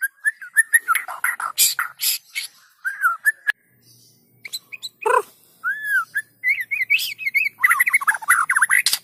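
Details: White-rumped shama song played to make lazy shamas start singing: varied whistled phrases and harsh chatter, a short gap, then quick bubbly rising whistles building into a dense final burst.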